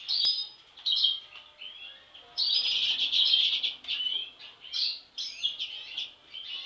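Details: European goldfinches, two siblings, giving a lively run of tinkling, twittering notes, with bright liquid trills and buzzy chips tumbling together, high-pitched and rapid throughout.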